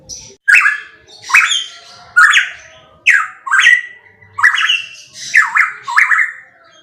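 A pitohui gives loud, harsh, squawky notes that drop in pitch, about eight in seven seconds at an uneven pace, against a quiet background.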